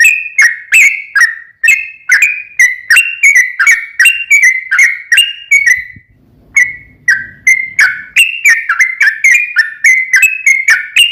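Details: Sooty-headed bulbul delivering long gacor 'ropel panjang' song as a response lure: fast chain of clear whistles, about three per second, broken by a brief pause with a soft low murmur near the middle before the rapid phrasing resumes.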